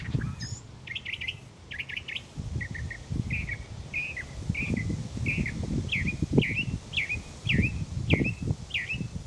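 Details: Morning song of a mockingbird, which sings endlessly to attract a mate. Short rising and falling notes come in rapid repeated sets, about one-and-a-half per second, changing pattern every few repeats over a steady low rumble.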